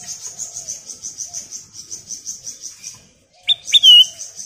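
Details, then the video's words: Ruby-throated Bulbul (golden bulbul) calling, a lure call: a fast, high chittering series of about six notes a second, then a pause and louder, clear whistled notes that rise and dip. "Suara Panggilan Kutilang Emas Gacor"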